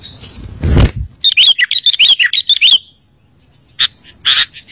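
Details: Sooty-headed bulbul master song, used to attract bulbuls and get a caged one to reply: after a low thump, a fast string of about a dozen bright, slurred chirps, then silence and two or three isolated sharp notes.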